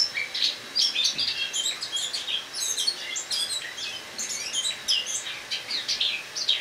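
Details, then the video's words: A captive Eurasian blackcap kept indoors for winter sings its rambling autumn song on the morning of 1 October 2017: an unbroken stream of high, scratchy twitters and chattering notes, with no other sounds. "Осеннее пение славки-черноголовки"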